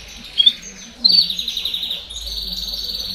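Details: Domestic canary, baderna-style singing meant to encourage chicks to sing sooner: two brief high chirps, then a fast rattling trill and a steady high buzzy roll to the end.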